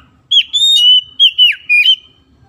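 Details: Oriental magpie-robin singing, recorded as a lure to get quiet birds singing: a clear, sustained whistle followed by three short, bright, slurred whistled notes, with the last dipping lower.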